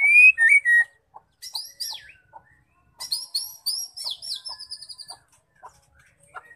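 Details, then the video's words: Female white-rumped shama song meant to set males singing: a loud opening whistle, then rapid high chirping phrases that fade into faint, widely spaced notes. "Murai batu betina gacor penggacor terampuh murai jantan"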